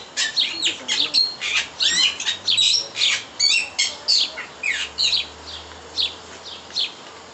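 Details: Laughing kookaburra at a zoo in Halle (Saale) giving its harsh, cackling laugh: a rapid, uneven run of rising and falling chuckles, roughly five or six bursts a second, with faint low rumble behind.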